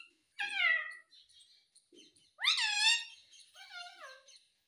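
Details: Pet ringneck parrot uttering three speech-like phrases, a falling harmonic syllable, a louder rising one, then a softer wavering ending, with quiet pauses between.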